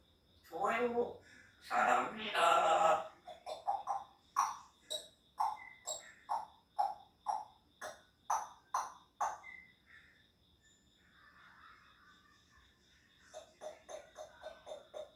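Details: Three-year-old pet grey parrot, a talking parrot, giving two loud harsh bursts, then a run of short clipped notes about twice a second. The notes pause and resume near the end over a faint steady high tone.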